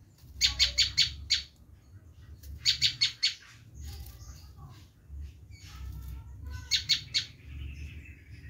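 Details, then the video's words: Bar-winged prinia screaming call, used to lure wild prinias. Short bursts of four or five harsh, buzzy notes come every few seconds, separated by quieter gaps with faint other chirps and a soft low background rumble. "Suara asli prenjak lumut menjerit || sangat ampuh buat mikar"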